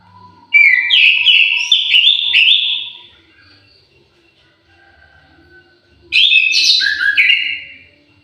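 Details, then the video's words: Caged orange-headed thrush in an aviary sings two bright phrases of rapid, stepping whistled notes, each lasting a couple of seconds, with a quiet pause between them. "KICAU MERDU BURUNG ANIS MERAH"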